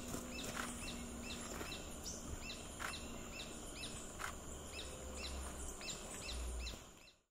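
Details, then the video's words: Purplish jacamar along a road in Maycu Reserve giving a steady series of thin, high, slightly falling notes, about two or three per second, over a hissing, rumbling forest background. "Purplish Jacamar"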